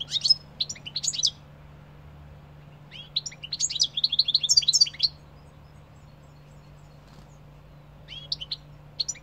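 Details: Singing European goldfinch delivering bursts of rapid, tinkling twitter: jangling, high-pitched chirps and trills in phrases of one to two seconds separated by pauses, the longest burst dense and liquid, over a steady low background hum.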